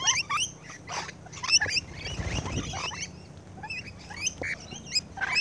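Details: Rainbow lorikeets feeding at close range, a chatter of high squeaky chirps and sharp screeches spread through the clip, with some low rustling noise in the middle.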